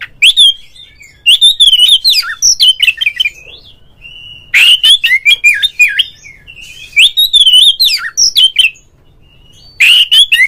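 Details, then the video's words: An oriental magpie-robin pours out ngeplong calling intended to set other magpie-robins singing: loud, fast strings of rich whistled and warbled notes in several bursts separated by brief single whistles and silences. "suara panggilan Kacer NGEPLONG nge-play Ngobra GACOR bikin semua JENIS BURUNG KACER ikut GACOR"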